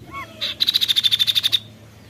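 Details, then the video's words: Kaso-kaso bird singing a 'tembakan' burst: a short buzzy note, then a rapid, even trill of about fourteen bright high pulses lasting roughly a second, preceded by faint rising notes. "Tembakan Mewah burung Kaso kaso"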